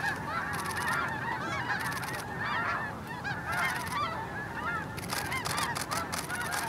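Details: Snow Geese blast off early at Hagerman NWR, with clear rising and falling nasal honks over a crowded chorus and repeated bursts of wingbeat noise as the birds take off.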